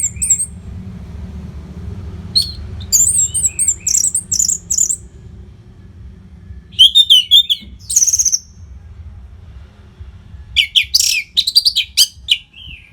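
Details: Continuous training song of an orange-headed thrush for keeping competition birds fit: scattered bursts of high whistled and chattering phrases separated by pauses, some notes sweeping sharply, with low background hum throughout.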